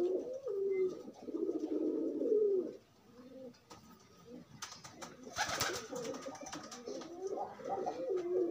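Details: Pigeons pairing while free, courtship cooing: low, throaty rolling coos for nearly three seconds, then a quieter gap and a burst of broadband rustling like wing flapping, with softer coos resuming.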